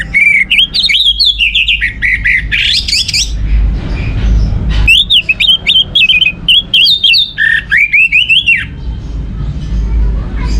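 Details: Song of an orange-headed thrush, played to get other birds singing: rich, fast whistled phrases sweeping up and down in long runs, loud and continuous with brief breaks, over low hum.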